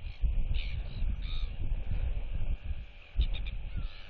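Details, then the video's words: Young female royal albatross chick (NTF) at a neighbouring chick's nest, displaying and whistling while turning her head side to side as neighbours clack at her, 8 July 2023: three brief, harsh whistled calls about a second apart over heavy wind rumble. "Displays & Whistles"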